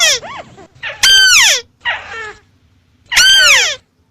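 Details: Crake-type calls attributed to the white-browed crake: a few short nasal notes, then two long, harsh, falling calls separated by a quieter rasping note.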